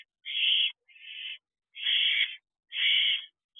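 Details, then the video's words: Barn owl owlets in an outdoor nest box, begging for more food at 3:41 am on 30 May as they prepare to fledge: loud, rasping hissed screeches of about half a second, repeated roughly once a second. "Owlets Calling For More Food."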